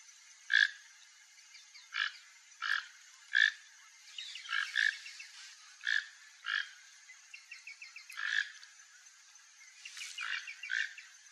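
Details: A free Toco toucan in a yard in Brazil, eating papaya, gives harsh, croaking grunts in uneven bursts about every one to two seconds over a steady high insect hum and faint chatter from other birds.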